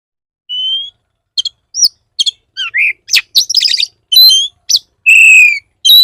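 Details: Oriental magpie-robin song played to provoke other magpie-robins into singing; loud, varied phrases of clear high whistles, sharp chips and buzzy trills separated by brief silences.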